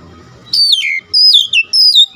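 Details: Oriental magpie-robin (kacer) song meant to excite fellow kacer: three clear, loud whistled phrases, each dropping sharply in pitch, following a brief low murmur at the start.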